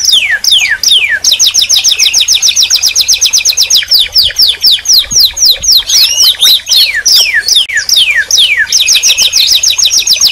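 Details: Canary in full song: falling whistled notes, a long rapid rolling trill of uniform notes, overlapping swooping phrases, then another fast trill, continuous and loud throughout.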